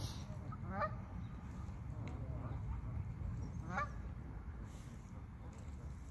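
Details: Geese on a pond, two short harmonic honks about three seconds apart, each a quick run of stacked, slightly nasal notes, over a steady low rumble of background noise.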